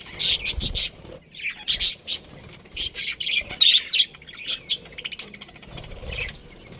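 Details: Budgerigars, a breeding pair in a colony, chirping in short scratchy bursts, quick bright chirps with pauses between them, and no other clear sounds.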